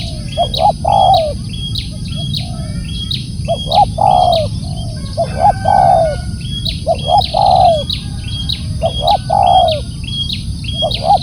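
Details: Spotted dove calling loudly and repeatedly, each phrase two short rising coos and a drawn-out falling coo, about every two seconds. A second bird keeps up steady high chirps in the background.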